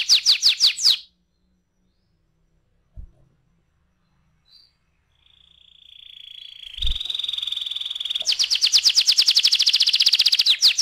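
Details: Canary ngeroll song meant to trigger other canaries into singing: a short burst of rapid high notes, a pause with a couple of knocks, a long steady whistled tone, then a loud fast trill to the end.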